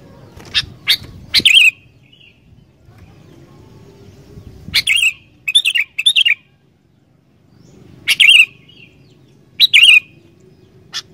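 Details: Sooty-headed bulbul singing energetically, used to coax wild bulbuls into song: short bursts of bubbly, slurred whistled notes in three spaced groups, with quiet pauses and a low hum between phrases.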